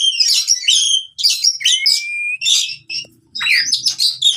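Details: Fighting song of an oriental magpie-robin, played to get silent birds singing again: bursts of harsh, chattering notes and a long rising whistle, broken by short pauses, with faint low hum beneath.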